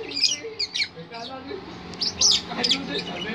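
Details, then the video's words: Lovebird singing in long rolling bursts: quick high chirps and squeaky notes come in clusters, with a busier stretch near the end. A low murmur of voices runs underneath. "BURUNG LOVEBIRD NGEROL PANJANG"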